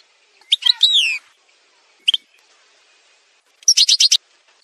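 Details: Algerian goldfinch (parva) montage song: a sliding twittered phrase, an isolated sharp double note, then a short stuttering buzzy trill, with quiet gaps between.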